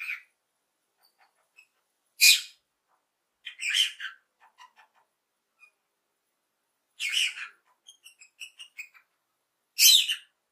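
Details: Lovebird chirping happily: loud, shrill, harsh chirps given singly or in short bursts, separated by pauses of one to three seconds, with a few softer ticks in between.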